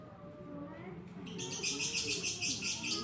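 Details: Fighter lovebird in long ngekek chattering, played to stimulate lovebirds that are reluctant to sing. After a low murmur of voices, a harsh, rapid, pulsing chatter starts and continues steadily to the end.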